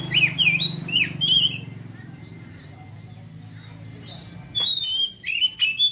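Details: Oriental magpie-robin singing in the ngeriwik style: loud whistled, rising and falling phrases in quick bursts for about a second and a half, a quiet pause with low hum, then more sharp whistled notes near the end.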